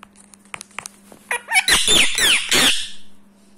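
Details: Seven-year-old rescued Indian ringneck parrot kept as a pet in India, rubbing its beak: soft clicks and ticks build into a few harsh, raspy squawks with slurred overtones, over a steady low electrical hum.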